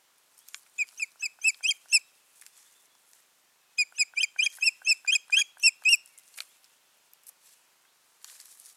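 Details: At the nest, an osprey pair on 14 June 2019 gives two long excited series of rapid, evenly spaced shrill whistled yelps, about seven then nine notes, separated by a short pause, with light rustling afterward.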